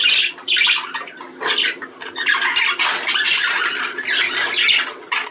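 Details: Budgerigars producing breeding-stimulation chatter: a steady, scratchy warble of rasping squeaks and twitters from several birds, almost continuous through the whole stretch.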